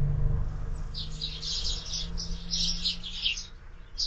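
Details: At a window-mounted feeder on a morning, sparrows keep up a blurred stream of high twittering chirps, ending with a single louder note, above a low steady hum.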